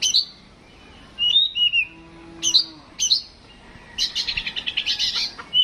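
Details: Oriental magpie-robin raised at home sings in a mental test. Sharp high chips and wavering falling whistles are followed by a fast pulsed rattle ending in a clear note.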